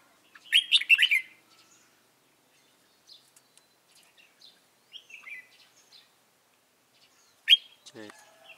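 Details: A trapped, stubborn white-cheeked red-whiskered bulbul, recorded 26 June 2018, gives a quick burst of bright, chirpy whistled notes, then scattered softer chirps and one sharp note near the end, followed by a brief low rattle.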